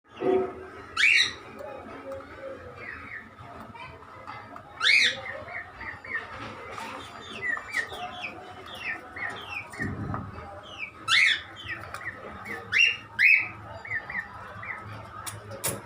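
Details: A white cockatiel and two other cockatiels give loud, sharp whistled calls every few seconds, with softer chirps between, over a steady background tone.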